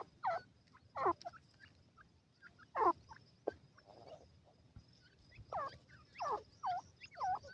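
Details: Chicks of the grey francolin (teetar) feeding with a female: loud, falling cheeps come singly and in pairs, separated by quieter gaps with faint soft chips.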